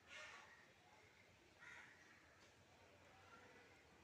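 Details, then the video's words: A carrion crow gives two harsh, rasping caws about one and a half seconds apart against a faint background hiss. "ശവം കാക്ക ( Carrion Crow )"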